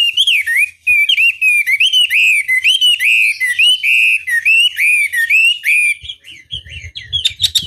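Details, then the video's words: Chinese hwamei delivering a sustained whistled song, loud looping notes rising and dropping in a steady series, ending with softer scattered chirps and some background rustle. "Pancingan Masteran Wambi Durasi Panjang Efektif Pancing Lwan Agar Nyaut Emosi Gacor"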